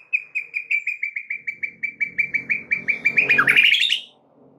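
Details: White-rumped shama lure song meant to get other shamas singing and learning new phrases: a rapid, even series of about twenty identical sharp piping notes, accelerating into a loud harsh chattering burst before falling silent.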